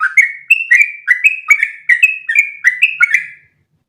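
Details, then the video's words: Long continuous song of a yellow-vented bulbul, used to train other bulbuls: brisk series of liquid whistled notes alternating up and down in pitch, about three per second, fading out near the end. "MASTERAN burung trucukan terbaik biar ikutan ropel panjang 1 nafas"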